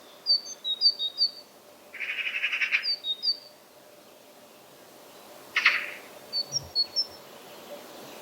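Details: Great tit (Parus major) song: brief high two-note phrases, the 'teacher-teacher' pattern, in short bursts, broken by two loud harsh rasping bursts lower in pitch, with a steady faint hum behind.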